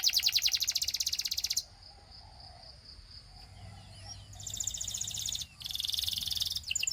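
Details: Russian singing canary delivering a fast, dry, buzzy trill of rapid repeated notes for over a second, then a thin steady whistle, quiet pause and a soft chirp, before more bright rattling trills resume, with low background hum.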